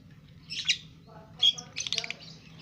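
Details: Two-month-old lovebird doing ngekek: two short, harsh, high chirped bursts about a second apart, then a denser scratchy cluster, over a low steady hum.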